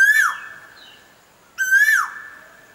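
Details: Two strong, ringing koel whistles about one and a half seconds apart, each gently rising before a quick downward drop, over a quiet background with a faint distant chirp.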